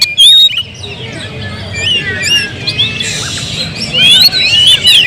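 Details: Kept Oriental magpie-robin in song: varied whistled phrases and curving slurs with some chirps, partly covered by a burst of broad hissing noise midway.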